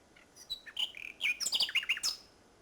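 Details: Common nightingale singing at Salthouse, Norfolk, on 1 May 2011, at the end of a bird race day; varied phrase of scattered whistled notes and chirps building into a quick burst of rich, rattling notes.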